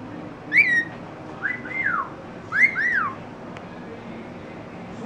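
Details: A talking rainbow lorikeet that mimics words and sounds. Clear whistled notes, each rising and then sliding down, given singly and in pairs about two seconds apart, over a quiet background.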